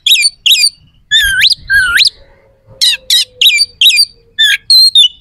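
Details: Oriental magpie-robin song full of rough, sharp phrases, played to make rival males angry and ready to fight; rising whistled sweeps, then rapid buzzy and chirping notes in quick bursts.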